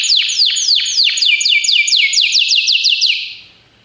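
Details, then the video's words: Belgian canary singing for canary training: a steady series of descending sweeps about three to four per second, speeding slightly before the phrase fades out into silence. "treinamento para canário belga"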